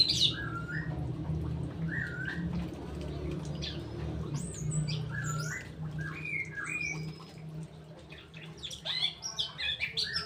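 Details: Straw-headed bulbul song: short slurred whistled phrases, each with a rising and falling turn, repeated every second or two. Thin high chirps from other birds are heard, with a steady low hum underneath.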